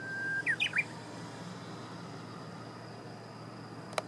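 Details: Japanese bush warbler singing, 6 June 2017 around 8 a.m.: a short held whistle and a quick run of three ringing notes, then a few seconds of background hiss ending in a sharp click.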